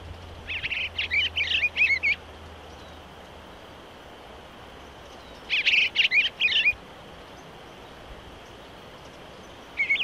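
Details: Eastern bluebird singing: two short warbled phrases of slurred, gurgling notes several seconds apart, with the start of a third at the end; a low hum early on.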